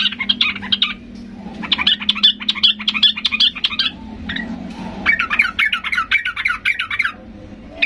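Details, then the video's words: Yellow-vented bulbul in excited, aggressive song, used to draw answers from quiet birds: repeated fast chattering phrases of bright liquid notes, separated by short pauses, with a constant low hum throughout. "Macam macam Trucukan gacor ngamuk memancing trucuk diam Bisa bisa Nyaut Emosi tinggi"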